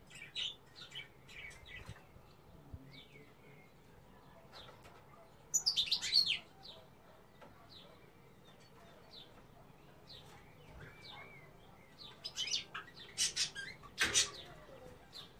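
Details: Song of a female European goldfinch: scattered thin chirps, a loud rapid twittering burst near the middle, more sparse notes, then a closing run of bright clipped chirps and trills.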